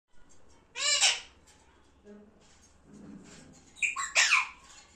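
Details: Pet parrot talking: a harsh, voice-like squawk with stacked harmonics, a short pause with faint low murmurs, then a rising two-part screechy phrase at the end.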